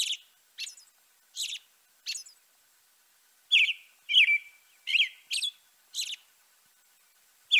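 A European robin sings short, high, liquid phrases, thin whistles mixed with quick trills, broken by brief irregular pauses. The background is otherwise quiet.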